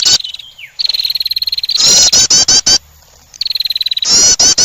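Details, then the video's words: Attracting call of a female wren: a sustained, buzzy, high-pitched trill, then four or five loud, scratchy, sweeping notes. The pattern repeats twice with a short pause between. "the sound of a female wren bird attracting"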